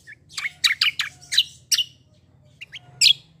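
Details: Black-winged myna in energetic fighting-style song, giving a burst of harsh, buzzy, broadband notes in quick succession, then a pause and a few short squeaks and one more loud rasping note, with a faint low hum behind.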